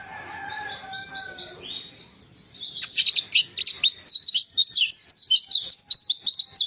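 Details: Warbling white-eye song, used as a lure to stimulate a silent white-eye into singing: soft, thin whistles open, then a loud, rapid, high-pitched twittering warble of sharp chirps in quick succession.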